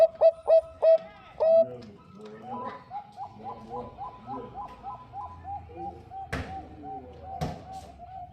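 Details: Zebra dove of Bangkok type, female calling for the male: four loud clipped coos and a longer one, then softer rapid cooing from another dove with a couple of sharp clicks.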